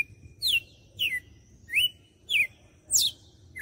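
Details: Red-cowled cardinal, a caged songbird from Fortaleza, Ceará, Brazil, singing its whip-style song: five loud, clear whistled notes, each a sharp downward slur, spaced roughly every half second, with a faint steady high tone behind.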